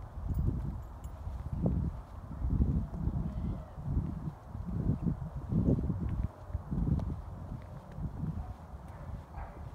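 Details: Two adult roadrunners with a baby nearby in the dark, acting strangely to lure a cat away from the young bird. Low, muffled pulsed notes repeat roughly every second, with light rustling between them.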